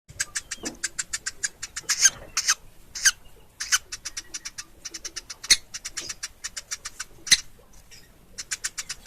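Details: Woodpecker nestling, locally called pelatuk ulam: rapid series of short, high, scratchy chips in dense bursts, a few louder sharp notes standing out, with brief pauses between runs.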